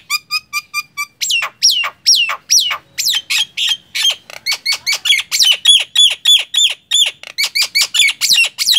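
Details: Nias hill myna singing continuously, starting with five clear evenly spaced pipes, then a long rapid stream of loud whistled sweeps and repeated squawky notes.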